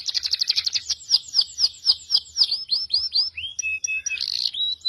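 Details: Masteran training song mixing cucak jenggot, cililin and canary: a rapid ticking trill gives way to slower falling slurs, then clear level whistles and a short buzzy flourish.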